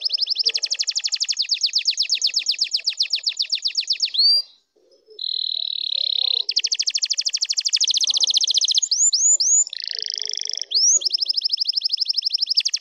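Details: Domestic canary song used to excite and prepare other birds: long rapid trills of repeated high notes, a steady whistled tone, quick upswept slurs, and further fast rattling trills, loud and clear with little background.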